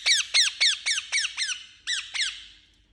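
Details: Harsh, screechy calls from a pet Indian ringneck parakeet: eight piercing squawks, each sliding downward. They follow in quick succession, with one brief hitch before the last pair.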